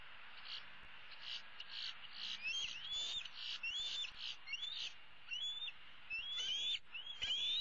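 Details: Bald eagle eaglet, the older of that year's young, calling from a roost tree in April 2016 for her parents to bring supper: squeaky rising whistles repeated about every second, steady hiss underneath.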